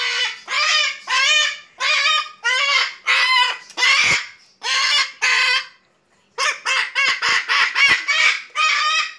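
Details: Excited baby umbrella cockatoo greeting its owner home from work: a long run of loud, harsh, raspy squawks about once per second, a brief pause, then faster rapid squawks.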